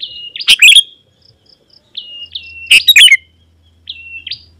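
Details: Sooty-headed bulbul in energetic song meant to provoke wild rivals into answering: steady high whistles broken by two bursts of harsh, bubbly chirping notes, with a faint low hum.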